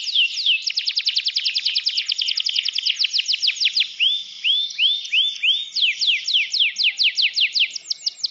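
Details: Caged canary in full song: rapid trills of sharp repeated notes, a few slower rising whistled slurs in the middle, then another quick run of descending sweeps.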